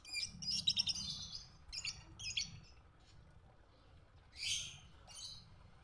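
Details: Lovebird used as a 'masteran' tutor recording for training other birds: dense, shrill, high chattering bursts in the first two and a half seconds, a quiet gap, then two short squeaky bursts near the end over faint low hum.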